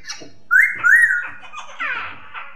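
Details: Masked laughingthrush, a Hong Kong poksay, in a recording used as therapy to get silent or stressed birds singing. Clear whistled notes that rise and fall, a pair of slurred phrases, then a rougher warbled run.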